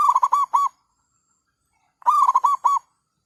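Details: Decoy zebra dove calling to attract wild birds to a trap in cloudy weather after a night of rain: two short bursts of quick, bubbling staccato coos separated by over a second of quiet.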